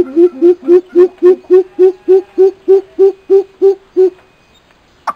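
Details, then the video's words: A male and female coucal pair calls. The clip holds a steady run of thirteen deep, hollow hoots at about three and a half per second, evenly spaced and of even pitch, ending in silence and a brief sharp noise. "Suara burung Bubut"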